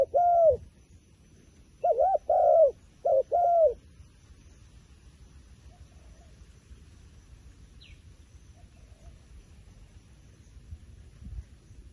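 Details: Wild pigeon uttering four hooting arched coos in quick succession near the start, followed by a long quiet stretch with faint background hiss.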